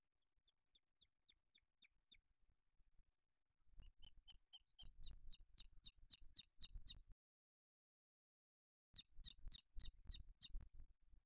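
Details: Booted eagle nest in Spain on 8 July 2023, male arriving with a small bird for the older chick: faint high piping notes that grow louder into a fast regular series, over low rumbling, with a brief silence.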